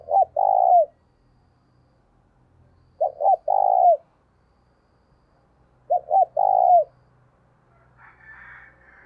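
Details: Decoy spotted dove giving its stimulating coo, three repeated phrases roughly every three seconds, each two or three short stuttered notes followed by a sustained, slightly descending coo; faint higher twittering at the end.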